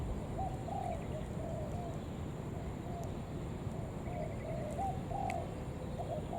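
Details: Spotted dove calls used as a lure to draw in other doves: soft low coos around 600-800, short phrases repeated through the clip, faint over a loud steady low rumble of background noise.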